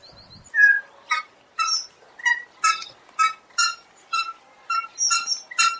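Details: Black-necked Swan giving a series of short, nasal, harmonic calls, roughly two per second, with a few higher wheezy notes mixed in, against a quiet background.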